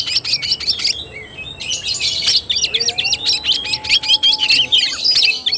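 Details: Oriental magpie-robin singing in fighting style (tarung), recorded 17 August 2021; dense, fast run of sharp chirps and whistled notes, mostly high-pitched, continuous with brief pauses, some faint lower whistles beneath.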